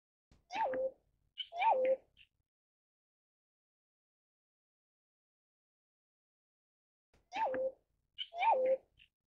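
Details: Pheasant-tailed jacana (Hydrophasianus chirurgus) raising and feeding chicks gives nasal, cat-like mewing notes that rise then drop, two pairs about a second apart, repeated after a long pause, with no other sounds.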